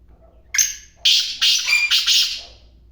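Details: Black francolin calling: a harsh, scratchy phrase of five loud grating notes over about two seconds, a single opening note, then a pause, then two close pairs, in a quiet background.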